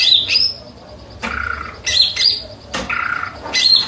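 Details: Cucak ijo giving short high squeaky whistles alternating with harsher, lower buzzy notes and sharp clicks, in irregular bursts.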